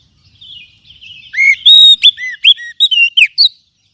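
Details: Oriental magpie-robin singing as a lure recording meant to stir other kacer. A soft rambling warble builds into loud, pure whistles and rising and falling slurs, each note separated by brief pauses.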